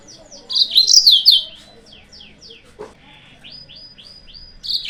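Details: Yellow-fronted canary song used to provoke rival birds: a run of quick downslurred high chirps, a dense bright trill, then more evenly spaced descending chirps, with a soft click midway.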